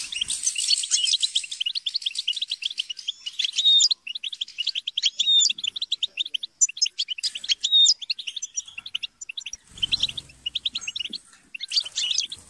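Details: Several captive European goldfinches in lively group chatter and squabbling used to encourage singing; continuous fast twittering with buzzy harsh passages and clear whistled slurs, a brief low thump near the end.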